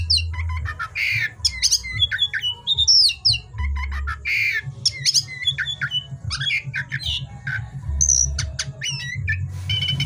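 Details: Oriental magpie-robin in full, energetic song at night, a rapid stream of clear whistles, sharp downslurs and brief scratchy notes, with a continuous low droning hum underneath.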